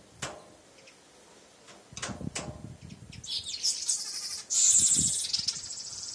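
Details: Male weaver bird that attacks its reflection in a mirror each morning: scattered sharp taps and knocks, then a loud, high sizzling chatter near the end.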